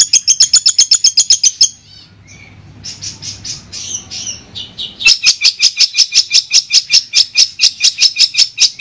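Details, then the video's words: A Madura Long-tailed Shrike (cendet) on a clear training-song recording gives rapid series of sharp, high ticking notes, about three per second, broken by a softer stretch of varied chattering and warbling. "Suara Jernih Masteran Burung Cendet"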